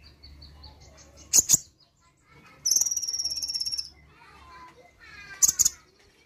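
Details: Brown-throated sunbird answering playback: sharp paired chirps, a sustained rapid buzzy high trill of about a second, then more chirps, with faint voices and hum in the background.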